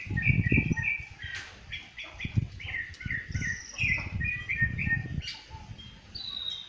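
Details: Rufous-bellied thrush song recorded in nature. Short whistled notes come in quick, uneven succession, with a few higher sliding notes toward the end, over low bumping noise.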